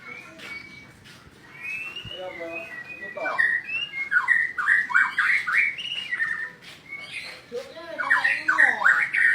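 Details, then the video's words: White-rumped shama pouring out a rich, fast medley of whistles and warbles that grows denser and louder after a quieter opening with a sharp click. "masteran burung murai batu"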